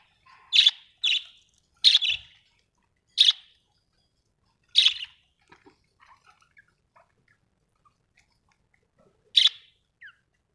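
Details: Budgie giving loud, sharp chirps, mostly in a quick cluster over about five seconds, then one more after a pause, with faint ticking sounds between.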